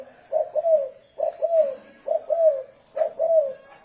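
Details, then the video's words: Spotted dove in thổ rền cooing, used as a lure for wild doves: four clear, mellow phrases, each a short coo sliding into a longer rolling one, spaced under a second apart. "Tiếng chim cu gáy thổ rền mới hay âm thanh to rõ ràng ko tạp âm dùng kích bổi"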